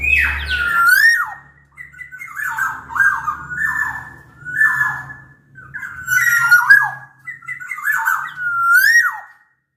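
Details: Sumbawa black-naped oriole, bigger than Bali or Java birds, used to coax lazy orioles into singing: repeated fluty, slurred whistled phrases about every second, with thin high squeaky notes between them and a low background hum.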